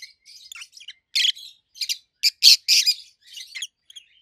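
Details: Loud, treble chirping from two adult roseicollis lovebirds, red-head green opaline and white-head pallid aqua opaline; dense harsh high bursts follow one another rapidly with soft twittering between.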